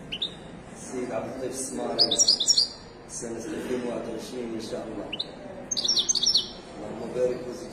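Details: A caged Moroccan Widani goldfinch at a bird market in Casablanca, Morocco, sings several short bursts of high, liquid twittering with pauses between them. A man's speech runs throughout the recording.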